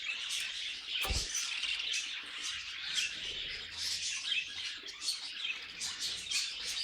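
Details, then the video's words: Budgerigars kept as pets warble in chorus, a constant stream of scratchy, twittering chirps and little squeaks, with a single dull bump early on and faint low rumbling beneath. "Budgies Singing and Being Cute"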